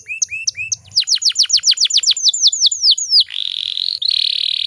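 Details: Female canary sound used as a lure to make male canaries sing quickly: short rising whistles, then a rapid series of downward-sweeping high notes, ending in a dense buzzy trill.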